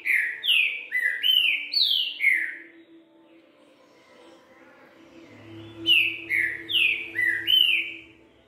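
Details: Green-winged saltator singing the 'três notas boi bitola' song style: two bursts of loud, clear whistled notes sliding downward, each lasting about two seconds and separated by a pause, over a faint low hum.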